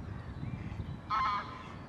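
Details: Courting great crested grebes, a reunited pair busy nest building; one short, harsh, croaking call after low rumbling background.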